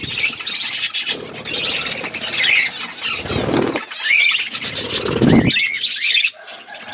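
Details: Budgerigars in an outdoor aviary, loud squawks and squeals with curling whistled chirps, mixed with bursts of low rumbling noise and wing flutter.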